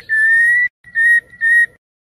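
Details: White-rumped shama, a night lure recording used to train competition songbirds in Indonesia: three long, steady, pure whistled notes at one pitch, the first longest, the next two shorter and separated by brief gaps.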